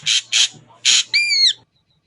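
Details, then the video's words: Ashy drongo giving clear song: three short harsh rasping notes followed by a drawn-out whistled note that rises slightly and then slurs downward. "suara jernih burung srigunting abu abu"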